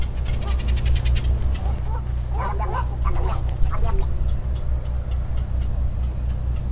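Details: Annoyed snowy egrets at a nesting and roosting colony, with black-crowned night herons, at the Palo Alto Baylands give harsh, rough squawks in short bursts near the middle, over a steady low rumble of wind or traffic.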